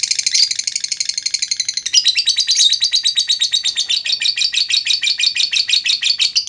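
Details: Lovebird giving a clear lure song: a 'ngetik' ticking phrase leading into a long 'ngekek' trill, meant to make other lovebirds sing. High, dense buzzy chatter for two seconds, then rapid pulses about three per second, sustained throughout.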